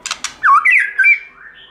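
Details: Brief white-rumped shama song phrase in forest voice, for song training: two short clicks, then a loud rich whistle rising and falling, followed by a higher fading whistle.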